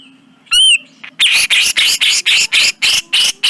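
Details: Grey-cheeked bulbul, recorded as a tutor track for cage birds: one whistled warbling note, then a run of about nine harsh, buzzy notes repeated steadily about three times per second.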